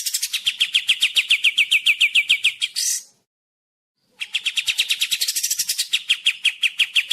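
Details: Sooty-headed bulbul (kapas tembak) in a crisp recording meant to tutor other birds: fast rattling chain of sharp notes ending in a harsh burst, a silence of over a second, then another rapid series.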